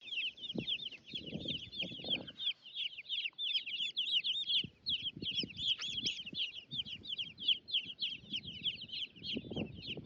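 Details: Baby chicks roaming about alongside turklings on a homestead, chirping continuously: a dense stream of high, rising-and-falling peeping notes, roughly three per second, with soft scratching and low thumps in the background.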